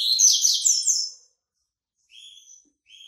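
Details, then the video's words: White-breasted yellow-bellied seedeater in late moult singing a loud, rapid, shrill twittering phrase about a second long, then two soft buzzy notes. "COLEIRO BAIANO PEITO BRANCO SAINDO DE MUDA, CANTASSO"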